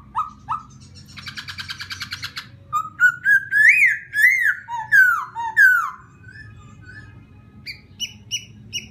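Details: Laughingthrush song played to stir up another bird: two short whistles, a dry rattling buzz, then a flowing phrase of looping, rising and falling whistles, closing with thin high chips over a low hum.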